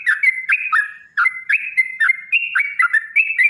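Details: Long 'ropel' song of a sooty-headed bulbul, played as a lure so other bulbuls respond, described as a female calling a male: clear, mellow whistled notes in quick uneven succession, some slurred upward, in an otherwise quiet background.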